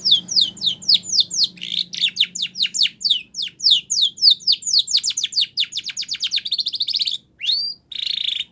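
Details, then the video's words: Spanish Timbrado canary song for training canaries: a fast run of repeated downward-sweeping whistled notes, then rapid rattling trills and a buzzy sustained phrase near the end, with a faint low hum underneath. "Spanish Timbrado song For Training"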